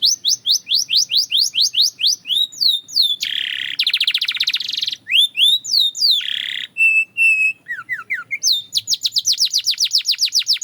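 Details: Belgian canary singing in a training setting: fast repeated downward-sweeping high notes, then buzzy trills, steady whistled notes and rolling phrases in rapid succession, over a faint low hum.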